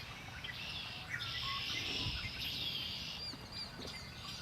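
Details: Songbirds heard by the shore of Lake Erie, giving quick high twittering notes in a dense, fast chorus with a faint low rumble beneath.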